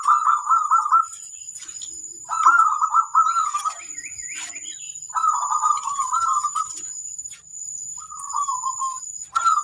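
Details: Local zebra dove song used as a training master: four rhythmic phrases of rolling, bubbling coos, each lasting about a second, separated by pauses, over a constant thin high-pitched whine and a few faint chirps.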